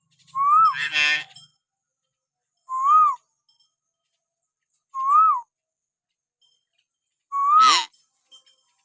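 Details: Common hill myna whistling, used to provoke pet mynas into calling, four clear rising-then-falling whistles spaced about two seconds apart, two of them overlaid with a harsh, noisy burst.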